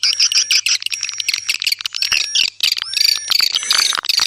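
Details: Swiftlets giving clear, rapid repeated chirps in pulsing bursts, with sliding whistled tones and constant high notes running through.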